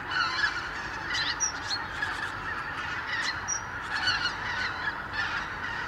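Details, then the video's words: Thousands of wild geese from Siberian breeding grounds wintering on the Lower Rhine, returning at dawn from roosts to meadows; a thick honking chorus swelling and fading, with louder individual honks and yelps standing out in bursts. "Tausende von Gänsen | Thousands of geese"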